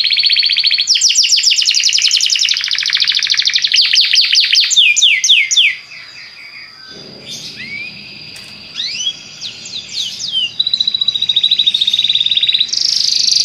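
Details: Song of a Belgian canary, opening with a long rapid trill of bright high notes, a quiet pause, then scattered rising whistles and a renewed fast trill at the end.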